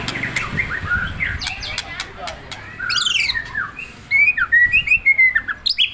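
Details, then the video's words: White-rumped shama provoked into singing: varied whistled phrases and rapid chattering notes, ending in a bright series of short rising and falling whistles about every quarter second, with clatter and low rumbling noise behind. "Memancing emosi muray batu"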